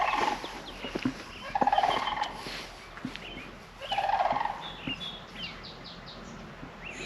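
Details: Sandhill cranes, more than one, distance uncertain, give rolling, rattling trumpet calls in three bursts about two seconds apart from a small ridge near a campsite outside Saratoga, Wyoming; faint high chirps of small birds follow.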